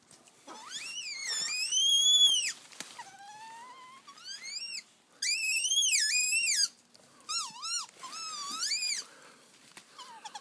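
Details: Crested fireback pheasant kept on an exotic pheasant farm near Sofia, Bulgaria: loud harmonic whistled calls, arched and wavering, in bursts of one to two seconds with shorter rising notes between, in a small indoor space.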